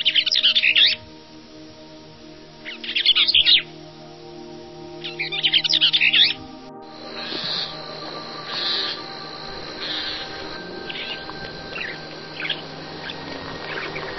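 Bee-eaters give bursts of high, rolling, trilled calls about every two to three seconds, with a steady musical backing underneath that carries on after the calls fade.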